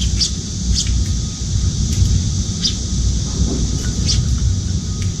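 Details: Eurasian tree sparrows at a windowside feeding spot, a juvenile begging food from its parent; a handful of brief, high, clipped chirps about a second apart, some faint, over a steady high hiss and low background noise.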